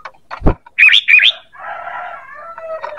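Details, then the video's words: Sooty-headed bulbul luring call: two loud, rising whistled phrases after a few clicks, followed by a drawn-out rooster-like crow in the background. "Suara PANGGILAN dan pikat ampuh burung KUTILANG"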